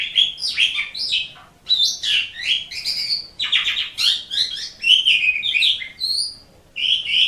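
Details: Asian pied starling song meant to train pet birds: a dense, varied medley of raspy chatter, buzzy notes and bright whistles in rapid phrases, with one longer pause.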